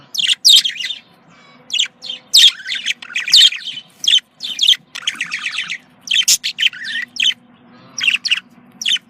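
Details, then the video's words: Budgerigar contact calling, a rapid stream of high, scratchy chirps and squeaks in clustered bursts, almost continuous chatter with short gaps. "Voz decomunicación.de loro australiano /sonido de llamada de periquito / se sentirá feliz"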